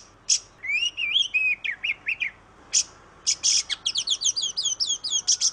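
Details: Oriental magpie-robin, or kacer, gives a wavering whistled phrase of slurred notes, then a harsh buzz and a fast run of repeated sweeping whistles punctuated by rasping bursts.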